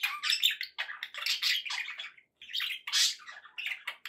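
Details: Domestic budgerigars sounding happy: continuous raspy warbling chatter with buzzy squawks and rising chirps, broken by one short pause midway.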